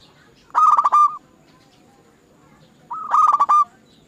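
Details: Zebra dove singing on a lure recording intended to make other doves sing: two brief, loud bursts of quick, rolling cooing notes about two seconds apart, with quiet between them.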